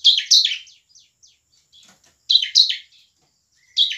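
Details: Bar-winged prinia singing with great energy, meant to trigger song and fighting in lazy birds; rasping chattering doublets, faint trailing ticks, and a fresh burst starting at the end.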